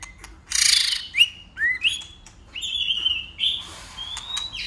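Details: White-rumped shama in fight singing: a burst of rustling noise, then upward-sweeping whistles and a long, clear whistled note, with sharp clicks.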